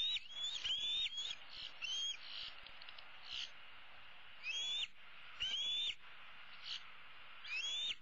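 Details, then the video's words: Older bald eaglet, a 2016 female, roosting in the nest tree with one leg dangling over the side, calls for her parents to bring food: high, thin, rising whistled squeals with a buzzy edge, repeated in irregular bursts. "E7 dangles her right leg and calls for her parents to bring her some food."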